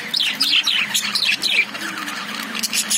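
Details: Lovebirds inside a cage give a quick run of bright, piercing chirps, some sliding downward, packed closely together over a faint low hum.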